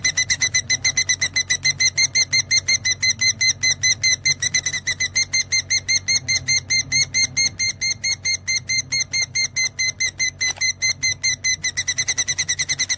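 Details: Energetic ngekek chatter from a lovebird, offered as song material for training birds: long unbroken series of shrill, metallic repeated notes with a faint low hum beneath, one brief higher blip near the end.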